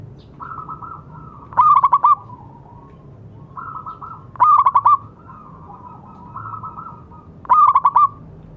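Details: Zebra dove, a local bird used to stimulate silent doves to sing: soft rolling coos lead into loud stuttered bursts of rapid pulsed notes, about every three seconds.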